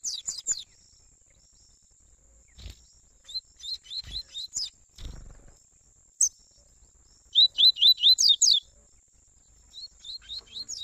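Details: Double-collared seedeater warm-up song from a father and son pair: bursts of quick rising whistled notes, repeated about twice a second, separated by pauses, with a few low soft thumps between phrases.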